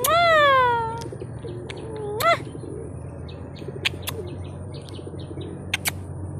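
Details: Pet parrot at home giving a long, sliding whistle that drops in pitch, then a shorter upturned whistle, followed by faint clicks and chirps over steady background hum.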